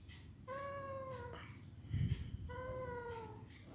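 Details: Young Alexandrine parakeet at play gives two drawn-out, nasal, slightly falling whining notes about a second long, separated by a pause, with a brief burst of indoor noise between them.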